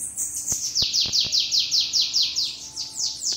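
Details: Sibite, or bananaquit, delivering its forceful 'treme treme' song at a house: a continuous string of high, sharply descending buzzy notes repeated about two to three per second, with a few faint clicks.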